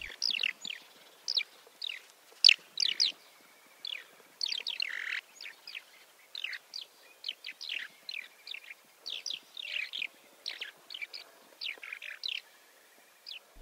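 Eurasian skylark giving a run of hard, buzzy, rolling 'prrt' calls, short bursts every half second or so, high-pitched and dry; nothing else heard.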